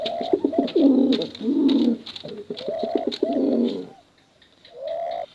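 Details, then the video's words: Male and female pigeons giving bekuran competition cooing: deep, throaty rolling coos, then a pause and a rising, buzzy coo, with sharp clicks and taps in the background. "Suara Bekuran Burung Merpati Lomba Hutan Dara Durasi Panjang"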